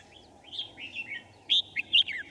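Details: Red-whiskered bulbul at a bird trap, recorded 5 January 2018: short, bright warbled phrases with rising and falling whistled notes, ending in a louder burst of sharp slurred notes.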